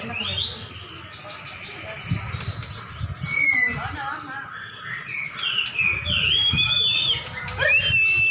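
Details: Caged white-rumped shama dueling a rival prize bird: rapid mix of sharp whistles, trills and chattering notes, fast and irregular, some phrases high and thin, with a steady low hum and background clatter.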